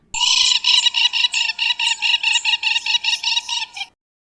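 African Jacana giving a fast, harsh, ringing series of about eighteen piping notes, roughly five per second, for nearly four seconds; nothing else is heard.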